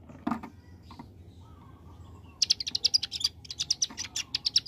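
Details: Bar-winged prinia in the rapid 'ngebren' AK47 singing style: after a few low taps and a quiet pause, a dense run of shrill, staccato high chips starts and keeps going to the end.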